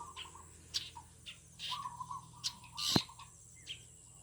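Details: Birds singing in a garden in the morning: short, high chirps and tweets scattered across four seconds, some paired, over a steady low hum, with one sharp click near the end.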